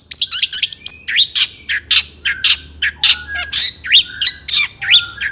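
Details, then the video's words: Excited long-tailed shrike song meant to rouse other shrikes: dense, jumbled high chatter of scratchy squawks, sharp chips and falling whistles delivered without pause. "burung cendet gacor EMOSI AMPUH untuk PANCINGAN CENDET AGAR BUNYI"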